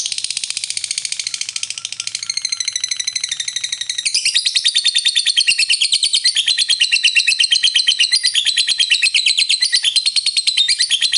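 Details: Lovebird ngekek panjang, the long trilling song played to excite other lovebirds: a shrill, rapid rattling chatter, softer at first, then louder and denser from the middle onward, continuing without pause.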